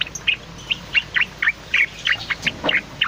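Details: Cucak loreng bulbul singing tirelessly, suited as master song or lure; short bright bubbling notes come about four times a second in a steady run.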